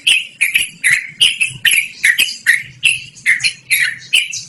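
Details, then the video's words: Yellow-vented bulbul singing in a rolling, non-stop style, its clear voice offered for luring or training birds; harsh, bubbly note pairs repeat steadily about twice a second with short gaps between them. "BURUNG TRUCUKAN GACORR NGEROL DURASI PANJANG"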